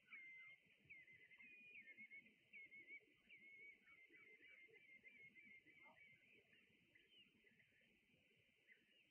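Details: Red knots with brent geese on the island of Juist: a busy flock twitter of high, clipped whistles in uneven bursts, a few falling notes among them, over a low background rumble.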